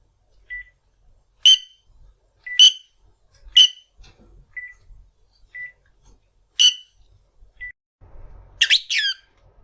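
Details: Pet rosy-faced lovebird, 1 year 9 months old, calling for its owner indoors: loud, shrill, harmonic-rich screeches repeated about once a second, with soft short whistled peeps between them and a burst of squawking at the end.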